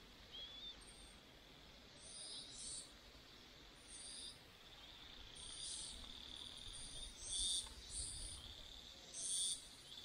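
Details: Hwamei chicks being fed by both parents give short, high, hissy begging bursts every second or two over a steady high insect-like hum.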